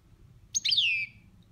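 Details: Caged pet European goldfinch performing one of its 'boniments' song styles: a single bright twittering phrase about half a second long, sliding downward from high sharp notes to a drawn-out buzzy tail, over a quiet low hum.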